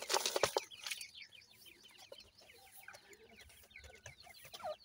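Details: Grey francolin chicks, about seven days old, feeding; many overlapping high, short chirping peeps in rapid succession, with a loud broadband clatter in the first half second.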